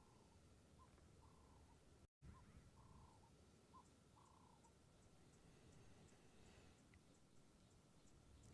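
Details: On an African safari drive on 15 April 2023, a Cape turtle dove gives soft, hollow cooing phrases in a repeated rhythm, against faint rattling cicadas and a steady low rumble.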